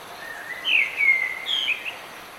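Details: Bird singing in the rain: a whistled phrase rising from low to high, then a bright warbled run and sliding notes near the end, over steady hiss of rainfall.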